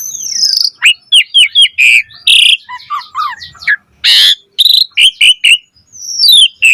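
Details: Asian pied starling in full, richly varied song used to coax other starlings into singing: descending whistles, rapid chirps and slurs, a harsh rasping burst midway and more falling whistled notes at the end.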